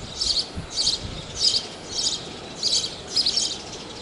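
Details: House sparrows at Praia de Pipa, Tibau do Sul, Rio Grande do Norte, Brazil, giving bright chirps in steady bursts about every half second over a constant rushing background noise.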